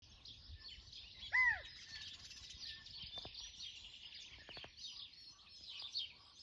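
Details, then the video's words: Quail, nicknamed Quentin, making new sounds at sunrise in Nelson, New Zealand: one short arched note rising then dropping over a steady high insect chorus, distant birds and soft clicks. "Quail making new Sounds"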